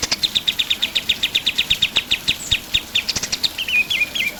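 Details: Pied triller singing energetically for songbird tutoring: a long, even run of quick, high chipping notes, ending in three sliding, downward-bending whistles.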